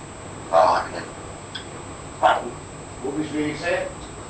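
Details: Young pet African grey parrot, 14 months old, talking indoors: two loud, short word-like bursts, then a softer run of voiced, speech-like syllables.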